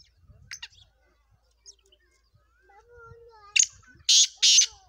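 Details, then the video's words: Black francolin giving loud, harsh, grating bursts, two close together near the end, after softer scratchy notes, with faint thin whistles from other birds. "kala teeter ki awaz"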